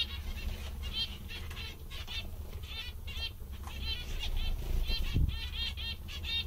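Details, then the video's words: Happy, funny zebra finches keep up a stream of short nasal, buzzy calls repeated about twice a second. A low rumble rises briefly mid-way under steady background hum. "Mandarins bastante engraçados e contentes"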